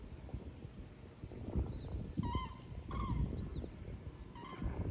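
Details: Common cranes passing south over the Wetterau in Hesse, Germany, during autumn migration on 22 October 2022; a few loud rolling trumpeted calls in short bursts, with distant cries and a continuous low rumble beneath.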